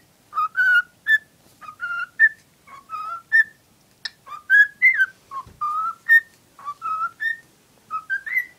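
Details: Female pet cockatiel whistling while showing her love for a cuddly toy: a lively run of short clear whistled phrases, each stepping upward in pitch, repeated roughly every half second with brief gaps.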